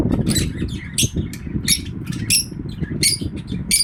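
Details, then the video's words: Happy lovebird giving bright, raspy chirps roughly every half second over a steady low rumbling background noise. "Happy Love bird chirping sound"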